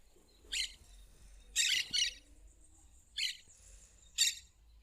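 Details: Plain parakeet in its natural surroundings giving four loud, scratchy, high screeching bursts, one of them doubled, spaced roughly a second apart amid quiet surroundings.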